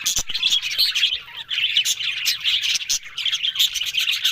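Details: Budgerigars said to be talking, October 1: busy high twittering chatter in quick bursts, one short pause after the first second, then steady warbled chirps and clicks.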